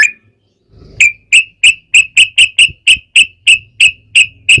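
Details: Sooty-headed bulbul used as a singing lure for other bulbuls, one whistle, a pause, then a steady series of sharp, clear chirps about three per second.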